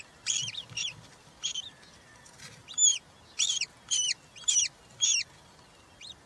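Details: European roller nest with three chicks on 20 June 2023, one fed a giant grasshopper; arched, slightly rasping whistled calls repeat in an irregular series of about nine short notes, with soft low rustling beneath.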